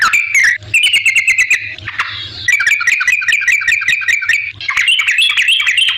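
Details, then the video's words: A yellow-vented bulbul in energetic song, played to coax other bulbuls into answering: quick chattering trills and bubbly warbled notes, a short softer break near two seconds, then renewed rapid twittering phrases. "suara trucukan gacor ampuh bikin nyaut pancingan trucukan agar bunyi"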